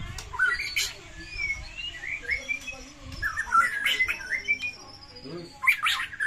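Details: White-rumped shama singing a varied fighting song meant to coax silent shamas into singing; scattered clear whistled notes, a few slurred phrases and sharp high bursts over a low rumbling background.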